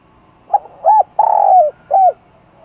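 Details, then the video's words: Decoy spotted dove cooing to attract wild doves: a short low note, then a rounded coo, a long drawn-out hoarse coo and a final rounded coo, all low-pitched and mellow. "Chim Cu Mồi Thúc Gù Gáy Gọi Bổi"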